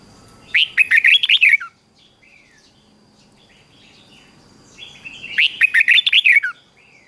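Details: Red-whiskered bulbul in morning song: two energetic bursts of fast, melodious warbling, each about a second long, with a calm gap holding only faint whistles and a thin steady tone.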